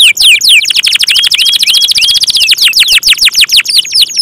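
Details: Canary singing in the lively, nonstop gacor style: rapid series of bright whistled notes sweeping downward, repeated about ten times a second, with a brief run of flat level whistles in the middle.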